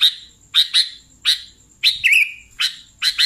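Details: Lure recording of sooty-headed bulbul: loud scratchy chirps spaced about half a second apart, one ending in a slurred warbled note, over a thin constant high-pitched tone.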